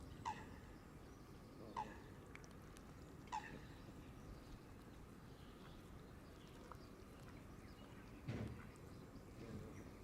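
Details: Canada geese in a flock feeding on green grass at the water's edge, surrounding the recorder; three loud harsh honks about every one and a half seconds, then a fainter one, over a steady low rumbling background.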